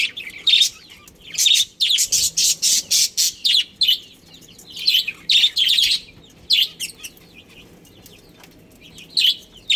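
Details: Budgerigars, a breeding pair in a colony, chirping: bursts of bright, scratchy high chirps and warbles in quick clusters, separated by short pauses, with a faint background hiss.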